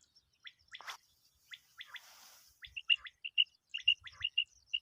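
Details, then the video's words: Common quail giving sharp, high liquid notes in quick clipped bursts, about two a second, with a brief rustling thump and hiss early on. "Common quail effects"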